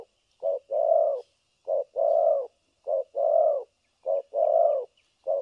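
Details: Trapping decoy spotted dove in the thổ cấn sấm nước style, steady rhythmic pairs of low coos, a brief note then a longer swelling one, repeated roughly every 1.2 seconds in a quiet setting.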